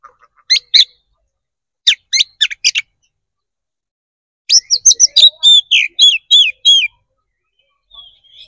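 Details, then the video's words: Kacer, the Oriental magpie-robin, singing a loud, open fighting song meant to provoke a response: a few sharp chips, then a cluster of rapid harsh notes, then a fast sequence of ringing, looping whistles. "KACER GACOR NGEPLONG TARUNG"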